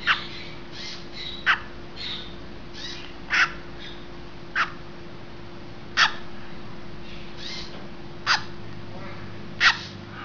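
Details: A great green macaw at a hatching gives short, harsh, raspy squawks at irregular one-to-two-second intervals, over a steady low mechanical hum.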